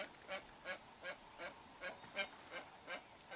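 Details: Hoatzin (Opisthocomus hoazin), a family of parents with a chick in riverside wetland, recorded from inside a boat: a steady run of hoarse, raspy, quack-like notes, about nine in three seconds, over a faint background hiss.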